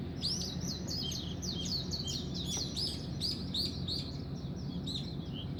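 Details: Birds at dawn produce a steady stream of high, arched chirps, roughly three per second, while a continuous low hum runs beneath.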